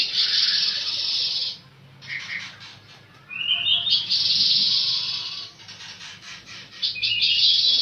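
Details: Pancawarna bird singing: long harsh buzzy bursts alternating with brief chirps and a rising whistled slur, loud throughout with short quieter gaps between phrases.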